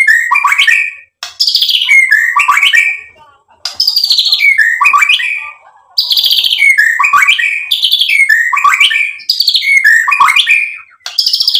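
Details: White-rumped shama in lively full song, varied phrases of sweeping whistles and rapid trills crossing up and down, bursts separated by short pauses, loud and clear with no other sounds.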